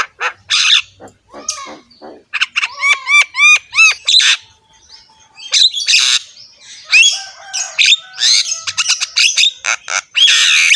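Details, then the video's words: Javan myna, rough-voiced, singing a rich varied song: harsh broadband squawks, a run of repeated rising whistled loops, then more grating rasps and chirps in rapid succession. "BURUNG JALAK KEBO GACOR SUARA KASAR"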